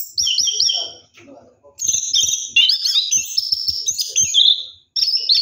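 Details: Night-time bath of an orange-headed thrush in rolling ngeroll song: high, thin whistled phrases and trills, first in short bursts, then a longer flowing run.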